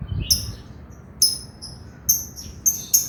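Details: Male lovebird chattering: sharp high squeaky chirps, single or paired, come at irregular intervals about every half second to second over a low background hum.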